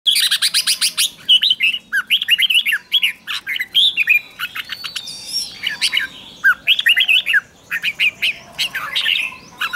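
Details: Red-whiskered bulbul lure song, recorded without background noise, used to call in wild birds: lively, varied, warbling phrases of short whistled and chirpy notes, delivered in quick bursts with brief pauses.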